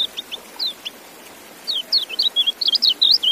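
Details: White-eye uttering a few spaced high chirps, then a lively rapid run of looping, down-slurred whistles at a high pitch, set against constant background hiss.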